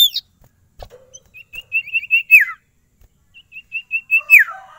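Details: Caged sirtu, singing right away without stalling: a sharp note, then an accelerating string of thin high piping notes closing with a downslurred phrase, given twice.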